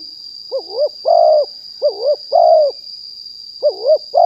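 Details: A live 2021 recording of a wild spotted dove used to call in other doves: soft double-dipped coos alternate with longer, fuller ones, over a steady high electronic whine.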